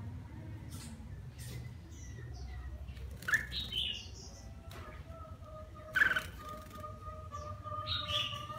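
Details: Red-whiskered bulbul singing while bathing: a few scattered bright, whistled notes with sharp upslurs. Long gaps between them, plus steady low tonal hums and splashy background noise.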